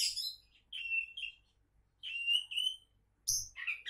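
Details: Prospective champion Oriental magpie-robin giving short, sweet whistled and buzzy phrases separated by brief pauses, against a quiet background.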